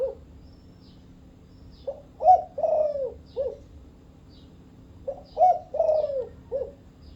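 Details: A Thai-type spotted dove gives two soft, low cooing phrases about three seconds apart, each a short note, a stronger coo and a drawn-out, falling croo.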